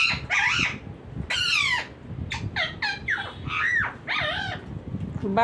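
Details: Green talking parrot producing separate raspy, swooping phrases with short gaps, some rising and falling sharply, over a low murmur of a man speaking Hindi.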